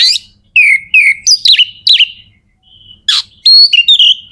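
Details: Magpie-robin (kacer) singing in captivity to prompt other birds to sing: clear whistled slurred notes and sharp harsh bursts in quick phrases, with a short pause mid-way.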